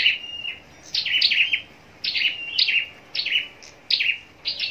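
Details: Scarlet-backed flowerpecker, a cage bird trained for singing contests: piercing high chips and short trills grouped into brisk phrases roughly every second, with little else heard.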